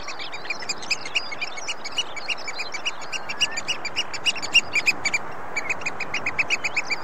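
Oystercatchers call in sharp, high piping notes, about three a second, several birds overlapping, over a steady roar of wind or surf.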